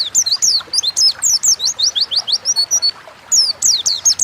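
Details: Pleci, Oriental white-eye, singing 'gacor ngalas' as a lure to make caged birds sing quickly; string of high, rising-then-falling whistled chirps at a steady fast pace, a brief gap, then more.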